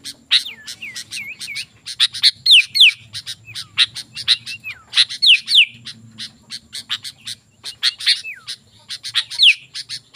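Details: Sooty-headed bulbul in lively full song, used as a lure for wild bulbuls: dense rapid sharp chirps mixed with clear descending slurred whistles, about three notes a second, with faint low rumble beneath.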